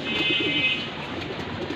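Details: Cooing from racing pigeons, four pairs in Mirpur, Dhaka, Bangladesh: soft, rolling low coos that undulate through the first second, with a thin high tone and steady background noise.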